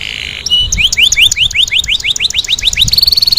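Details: Canary singing a steady series of rising whistled notes, roughly five per second, after a sustained tone, then breaking into a fast, even, high trill.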